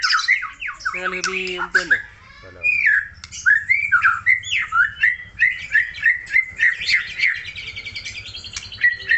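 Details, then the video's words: White-rumped shama from Aceh singing vigorously: a harsh, lower nasal rattle early on, then a long sequence of quick, evenly paced whistled phrases and chips repeated about twice a second. "MURAI BATU SUPER GACOR"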